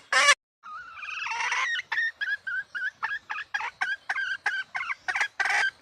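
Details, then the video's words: Female red junglefowl seeking a mate: an opening loud squawk, then a wavering, rising nasal note followed by a broken series of clipped, harsh clucks with a faint hiss behind. "เสียงไก่ป่าตัวเมยร้องหาคู่ suab poj qaib seev thiab tsauj tuaj"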